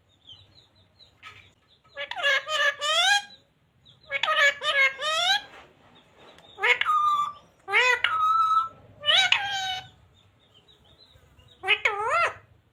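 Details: A green parrot talking, its learned words including 'radhe radhe', 'mithu beta' and 'sita ram'; about seven short bursts of high, slurred speech-like phrases over twelve seconds, some ending in harsher drawn-out notes, with quiet gaps between.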